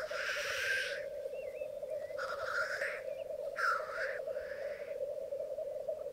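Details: On the bog at Mykland in May 2022, a morning lek of twelve black grouse cocks with two hens: three loud hissing sneezes spaced about one and a half seconds apart over steady bubbling.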